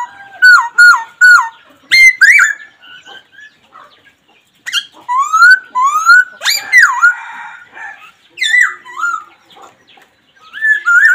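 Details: Black laughingthrush giving a pair of clear downslurred whistles, then varied swooping notes and rising whistles separated by brief silences, with a few sharp clicks.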